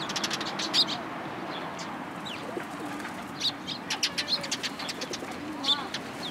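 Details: Sparrows among cherry blossoms at a Tenmangu shrine on 1 April 2023. Short, sharp chirps come in quick bursts, some clustered and others isolated, over a steady low background hum with occasional softer calls.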